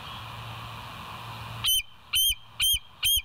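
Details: Bald Eagle from the West End live nature cam, 7:00 on 25 September 2023: hissy background, then four high, thin whistled notes repeated about every half second.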